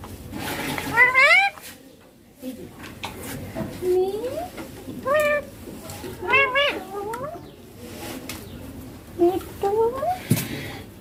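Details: Young pet Indian ringneck parakeet talking, repeating papa and mummy; a string of short harmonic syllables and rising word-like phrases spread through the recording, with low room noise.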